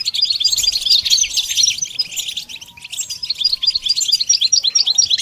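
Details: Goldfinch twittering steadily, a quick series of high chirping notes, about two each second, interspersed with short trills.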